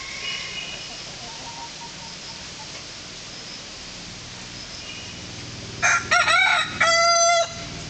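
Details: After a long stretch of low background noise and faint distant calls, a heritage Malnad naati rooster from the Western Ghats crows loudly in two strong, rich, ringing phrases.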